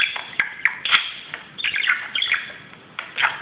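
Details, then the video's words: Budgerigar playing excitedly on top of a closet indoors; rapid bright chirps and warbling twitters in quick irregular bursts with a few sharp clicks. "grasparkiet doet zottekes op de kast"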